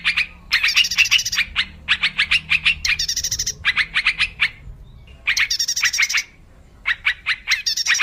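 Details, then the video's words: Wild yellow-vented bulbul used as a trapping lure: bursts of rapid, bubbly chattering notes with bright harmonics, grouped in phrases about a second long and separated by short pauses, with faint low background hum. "Suara pikat burung trucuk liar"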